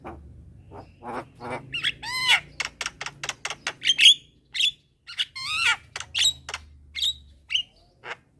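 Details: Javan mynas calling at midday, a young bird prompting the others to answer: rhythmic harsh squawks and rattly notes alternating with short whistled upslurs, repeated roughly every half second.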